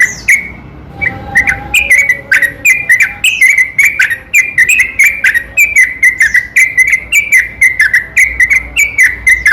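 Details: Yellow-vented bulbul lure song, a long unbroken night-time string used to rouse reluctant bulbuls into singing: rapid bubbly chattering notes, clustered and slightly rising and falling, running almost continuously after a short pause at the start.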